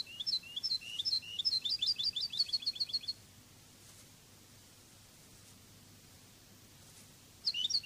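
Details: European goldfinch, Spanish Cádiz song style from a song-training CD: three seconds of fast, tinkling, twittering notes rising and falling, then near silence before the song resumes briefly at the end.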